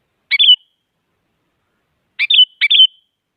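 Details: A female sooty-headed bulbul calls to a male, used to provoke lazy bulbuls into song: one brief slurred chirp phrase, then after a pause two more in rapid succession, with nothing else audible.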